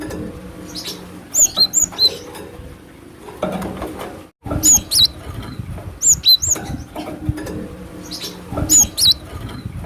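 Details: Wild cinereous tit lure call: short, thin, high whistled notes in clusters of three or four, recurring every few seconds, over rustling, handling noise and a low background rumble with a brief dropout midway.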